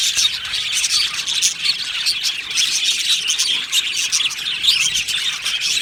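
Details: Dense high chirping from budgies kept together in an aviary, a lively jumble of twitters and short squeaky calls running continuously.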